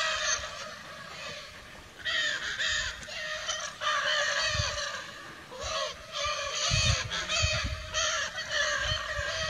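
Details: Free-flying Lear's macaws in the Brazilian wild call in rough, screeching bouts of one to two seconds separated by short pauses. Low rumbling noise runs underneath.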